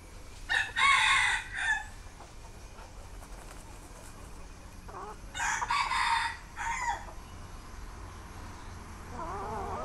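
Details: Captive red junglefowl while young hens dust-bathe in the dirt; two loud, broken, raspy crows about five seconds apart, each built from a few stacked bursts, then softer wavering clucks at the close, over a constant low hum.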